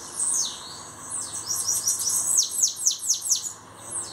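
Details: Bananaquit song: a run of high, thin, sibilant notes, each sweeping sharply downward, delivered in a quick series of about two per second, with a soft steady hiss underneath.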